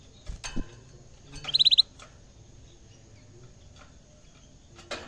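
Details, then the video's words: Canary in a cage, first time facing a camera: a quick burst of five or six high repeated notes, framed by clicking taps and cage rustling, then quiet. "kenari gacor bikin geleng geleng kepala"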